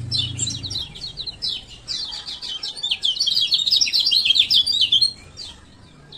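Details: Lure recording of a male lemon-bellied white-eye from Lombok to get reluctant birds singing: a busy stream of very high, scratchy chirps and twitters for about five seconds, with a brief low hum at the start.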